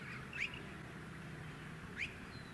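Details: Male rainbow bee-eater (Merops ornatus) on power lines in a suburban area of Tin Can Bay, Queensland, September 2017, giving two short, rising trilled chirps about 1.5 seconds apart over steady low wind and suburban hum.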